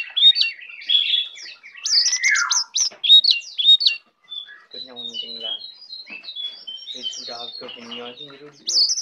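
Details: Tame brown prinia, singing eagerly with a full set of fill-in phrases: a fast run of high looping whistles and a descending slur, then a brief pause and softer chirps mixed with lower harmonic notes.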